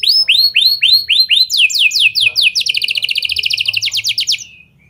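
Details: Canary with lovebird and prenjak-style song, played to encourage other canaries to sing for a long time; looping whistled swoops quicken into a fast, high, tightly spaced trill before fading out.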